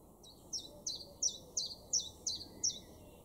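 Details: Common chiffchaff singing in a garden in Weener, East Frisia, far northwestern Germany, May 2022: evenly spaced high two-part notes repeated about three times per second, a steady chiff-chaff rhythm over quiet background.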